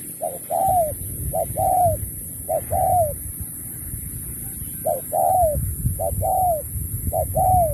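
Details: Contest spotted dove, 2024, singing in the 'Thúc kèm Bo' style: six two-part coos, a brief note then a drawn-out, downward-curving coo. There is a pause midway, and low background rumble throughout.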